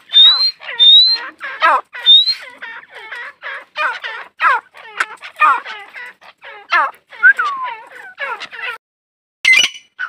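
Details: A female grey francolin calls in a dense, harsh run of repeated notes, with a few clear whistled notes at the start and a falling whistle near the end.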